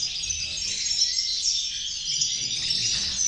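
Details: European goldfinches singing together as a group, a dense continuous chatter of high twittering notes with a faint tinkling quality and no clear pauses.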